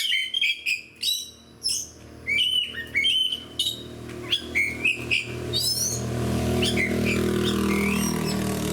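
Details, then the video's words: Oriental magpie-robin (kacer), caged and in fighting mood, delivers loud choppy bursts of sharp chips and short rising whistles for several seconds, then softer scattered notes fading into a droning low background hum. "SUARA KACER GACOR DAN FIGHTER"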